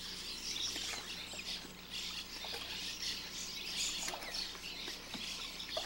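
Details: A busy nesting colony of Cliff Swallows at Lake Kinkaid cliffs, 11 June 2007, keeps up a constant overlapping racket of high, squeaky chirps, with a low steady engine hum underneath.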